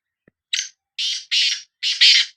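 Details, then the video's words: A Sindhi black francolin phrase of four hoarse, buzzy notes, the later ones longer and louder, given in quick succession in a quiet setting. "Kala Teetar Voice | Black Frankoline Voice کالا تیتر کی آواز"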